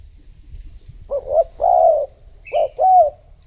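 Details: Lure call of a spotted dove for attracting other doves: two loud, close coo phrases, each a brief stutter followed by a longer rounded coo, with one thin chirp from another bird.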